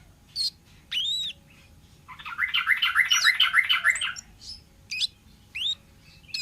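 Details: Wild orange-headed thrush on a lure recording: clear upslurred whistles, then a loud, dense, buzzy rattling trill lasting about two seconds, followed by more sharp whistled notes.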